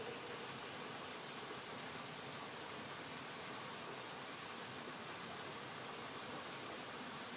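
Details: Steady, even broadband hiss like rushing water or a stream, with no calls standing out.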